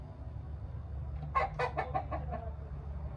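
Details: Chickens inspecting their new coops give a burst of about six quick, harsh clucks in close succession midway through, over a steady low hum.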